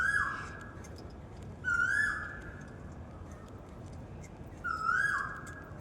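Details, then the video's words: Singing Asian koel in a park at Janakpur: three clear whistles, each a quick upward slur falling away at the end, repeated every one and a half to three seconds; faint higher bird chirps behind. "Koel Ki Awaz | 🐦 Koel Bird singing sound"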